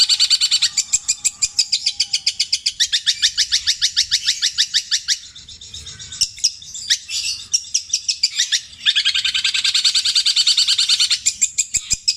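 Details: Long-tailed shrike, a Javan songbird, pouring out long, repeated mimicry of tengkek buto, kuntilanak and sparrow: an extended fast rattle of even high pulses, a brief scattered pause, then the rapid rattle resumes.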